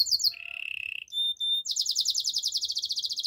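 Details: Short burst of canary song: a few high notes, a mid-pitched buzzy trill, two pure steady whistles, then a fast, even run of high chipping notes.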